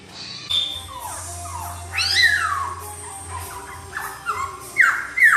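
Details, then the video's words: Sweet-voiced laughingthrush song meant to get another bird singing: sweeping whistled slurs that fall and rise, some rich and bright, over a steady low hum. "KICAUAN POKSAY YG MERDU MEMBUAT POKSAY LAIN LANGSUNG NYAUT"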